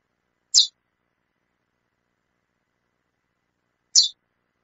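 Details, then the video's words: A female chestnut-bellied seed finch calls, two crisp high-pitched chips separated by more than three seconds of silence. "fêmea de curió chamando muito"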